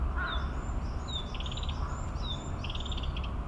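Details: Narcissus flycatcher in Maruyama Park, Sapporo, Hokkaido, on 17 May 2017, giving clear, high whistles that slide downward, then quick bursts of short rattled notes, over a steady low rumble.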